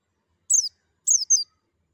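A white-eye gives three thin, very high chirps, each sliding downward, the last two close together. The background is otherwise silent.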